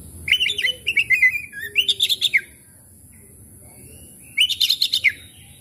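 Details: Oriental magpie-robin singing, played to coax stressed, silent birds into song: clusters of sharp whistled and chirping phrases, a pause, then another rapid trilled burst; faint low hum behind.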